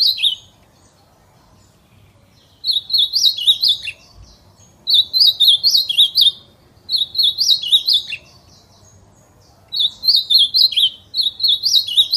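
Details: Wild ultramarine grosbeak, 'fibra' song, repeating the same short whistled phrase five times, roughly every two to two and a half seconds; each burst mixes quick high slurred notes with a lower dropped note, against a quiet background.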